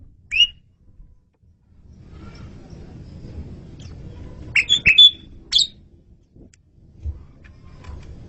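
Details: Asian pied starling singing vigorously in a masteran, a training recording, giving a sharp whistled note, then after a pause a tight burst of three or four bright chirps and a final whistle over a low rumbling background hum.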